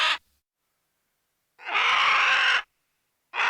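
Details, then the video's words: A long raspy vulture squawk of about one second stands between the tail of one call and the start of another, against silence. "VULTURE VOICE | BIRD OF PREY | SCAVENGERS | CARRION | EXTANT SPECIES | CATHARIDAE |SQUAWKS|"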